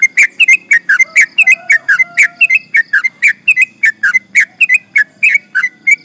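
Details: Energetic long song of a sooty-headed bulbul, used as a lure for rival birds: an unbroken stream of sweet whistled notes, rapidly alternating higher and lower slurs, steady and loud throughout.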